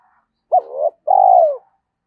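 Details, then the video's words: Spotted dove's rousing call for luring wild birds: one two-part phrase, a sharp hooked opening note swelling into a purring tone, then a long, rich coo sliding downward; quiet background. "tiếng cu gáy thúc rút bổi nghe nhanh về cội/ cu gay kich boi nhanh noi gù"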